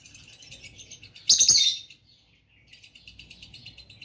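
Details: Relaxing chirps of a pet lovebird pair: soft fast high twitters, a sudden loud scratchy squawk burst, a moment of quiet, then renewed rapid twittering.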